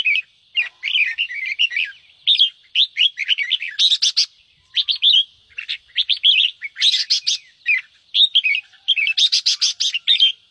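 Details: Red-whiskered bulbul delivering fast, fiery 'ché' song meant to excite other birds into singing: continuous bubbling, chirpy warbled phrases broken by several harsh, rasping chatter bursts.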